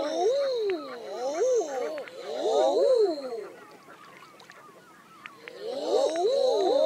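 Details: Common eider calls: several overlapping soft, rising-and-falling crooning coos, each swooping up then down, in bursts around the start, middle and end, with a faint high hiss above.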